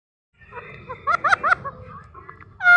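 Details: Indian ringneck parrot talking to a mirror indoors: a short run of nasal, speech-like syllables repeated in quick succession, ending in a loud, sudden burst.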